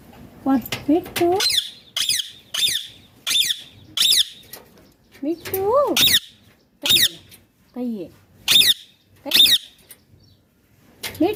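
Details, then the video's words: Ringneck parrot calling indoors: a run of sharp, high squawks repeated roughly every half to one second, broken by a few lower, swooping whistled notes that rise and fall, with quiet gaps between bursts. "Ringneck Parrot Natural Sounds || Parrot Voice Original"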